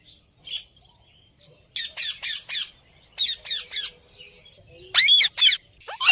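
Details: Parrot giving harsh, high-pitched squawks in clusters of three or four rasping notes, separated by short pauses, ending with louder, sharper screeches.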